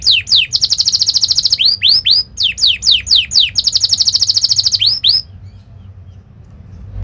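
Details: Canary training song meant to teach young canaries: fast buzzy high trills alternating with swooping downslurred whistles in bursts, ending in quiet after five seconds.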